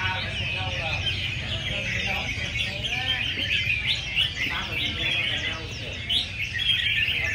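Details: Many red-whiskered bulbuls singing against each other at a competition session, with enthusiasts crowded around: dense overlapping bright chirps and warbled phrases, steady background murmur of voices and a low rumble.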